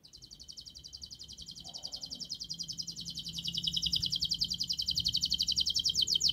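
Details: Singing canary, a long, fast, tightly packed song meant as a model to get young canaries singing quickly; here a rapid high trill of dense repeated notes grows steadily louder over six seconds, with a low background hum.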